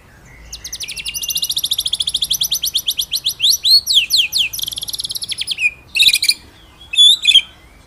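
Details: White-rumped shama master song for training other birds: a long fast high rattling trill that speeds into sweeping whistled slurs, then a few loud sharp notes.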